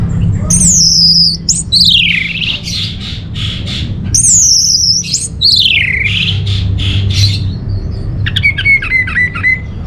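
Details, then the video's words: Orange-headed thrush, used as a lure and master song for caged birds, gives long loud swooping whistles that glide down then up, repeated twice, followed by a rapid series of short bright chirps. "Bikin Geger ANIS MERAH Dirumah Pasti Gacor || Pancingan sekaligus Masteran Burung Punglor"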